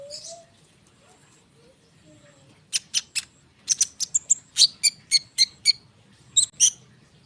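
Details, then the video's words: Konin bird, a singing bird recorded in full song as a lure, starts after a quiet opening with faint low notes, then delivers a rapid series of sharp high chips and bright whistled notes, some doubled, with short pauses. "konin gacor ngerol suara rapat untuk pancingan kolibri bahan cepat respon"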